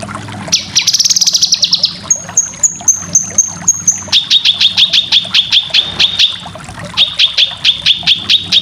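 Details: Cucak kinoy singing for training competition birds: a dense buzzy trill, then a series of thin high whistles, then rapid repeated sharp chirps with a faint low background hum.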